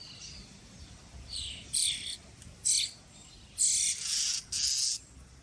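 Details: Common starling chicks being fed in Pärnu on 1 July 2025: loud, harsh, raspy hissing bursts, each about half a second long, come in a rapid irregular series of about five, with quieter rasps between them.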